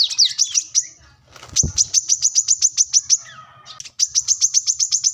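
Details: Plain-throated sunbird in full song while seeking a rival, used to tutor other birds: bursts of rapid, very high, ticking notes, broken by a brief low thump and a softer descending twitter before the fast series resumes.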